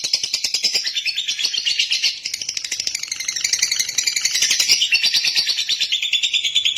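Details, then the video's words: Sustained lovebird song of rapid, rattling high chatter, a brief dip in loudness early on, then unbroken scratchy twittering. "Love bird jernih durasi panjang"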